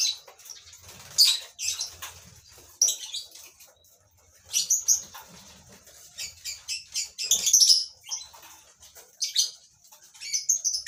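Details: Lovebirds kept in a colony breeding setup, giving sharp high chirps and squawks in overlapping bursts from several birds, with brief pauses between clusters and some wing flutter.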